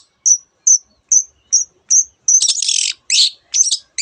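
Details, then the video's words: Long-tailed shrike singing with mimicked phrases: five thin, high whistled notes spaced evenly about every half second, then a harsh, buzzy rattling burst and scratchy chips. "cendet gacor nembak nembak rapat isian kenari dan banyak jenis burung yang masuk masteran"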